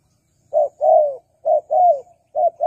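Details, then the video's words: Spotted dove cooing as a lure for wild birds: a brief clipped coo then a longer slurred descending one, the pair given twice before another short start. "Pikat Tekukur Burung Liar Kurang Galak"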